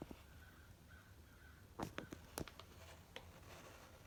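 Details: Crows in a large morning flock of at least 60 at a backyard bird feeder; a short burst of harsh, clipped caws bunches near the middle over a steady low rumble.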